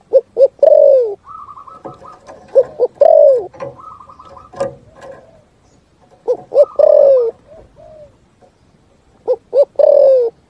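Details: Spotted dove singing 'thúc gù' style in the forest: repeated phrases of quick short coos ending in a long, falling coo. Between phrases another bird gives a series of higher whistled notes, with faint rustling.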